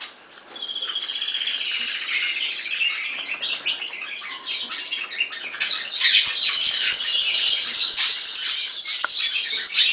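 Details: European serin singing a fast, jingling, buzzy stream of high twittering notes, crowded and scratchy, growing louder and denser through the second half, with no other clear sounds.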